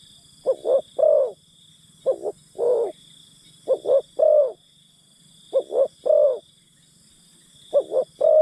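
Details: Spotted dove decoy calling to lure wild birds: low, mellow cooing phrases of two short notes and a longer drawn-out coo, repeated roughly every two seconds. A steady high hiss of insects runs throughout.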